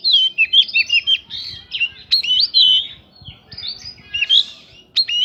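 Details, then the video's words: Short burst of Oriental magpie-robin lure song with prinia mimicry, aimed at stirring other birds to sing back: a few rich, swooping whistles and chirps separated by brief pauses. "PANCINGAN KACER BIKIN EMOSI ISIAN PRINJAK BIKIN BURUNG LAIN CEPAT RESPON GACOR"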